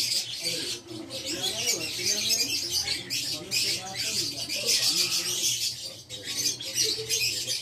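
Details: Caged Fischer's lovebird of the violet parblue colour mutation giving dense, scratchy, high-pitched chattering squawks in rapid bursts with almost no pause, a faint man's voice in the background.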